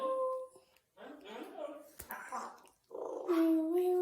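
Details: Congo African grey parrot playing and having fun indoors, giving mumbled speech-like chatter followed by clear whistled tones that bend and wobble, with a sharp click midway.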